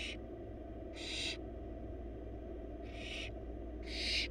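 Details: Begging hisses from four wild barn owl nestlings in a nest box as the adult female brings a big rabbit; short noisy rasping bursts at irregular intervals over constant low background hum.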